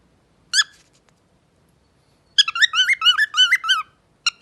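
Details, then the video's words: Pet parrot singing indoors: a short burst, then a fast run of rhythmic, rich whistled notes with looping pitch wiggles, about seven per second, trailing into two brief final notes. "Pappagallo canta bellissimo )) Professional singer - parrot Shu Shu. Singing parrot"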